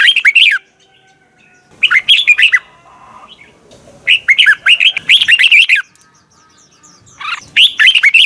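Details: Caged red-whiskered bulbul in morning song training, its "double twisted" voice heard as repeated bursts of rapid rising and falling whistles, some phrases long and run together, with low background rumble between.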